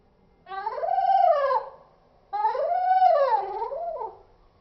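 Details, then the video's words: Cockatiel call played in slow motion: two long, drawn-out harmonic calls, each lasting over a second, rising then falling in a deep, wavering slur, separated by a short silence. "Cockatiel sound 👻👻in slow motion"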